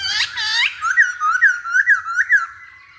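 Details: Masked laughingthrush singing as a lure for other birds: two harsh, rich opening notes, then a steady train of about six loud, looping whistled notes, roughly three per second.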